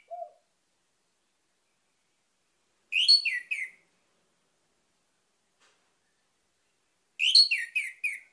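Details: Orange-headed thrush lure phrase to draw song from other birds: a single soft low note at the start, then two widely spaced four-note whistled phrases that fall in pitch.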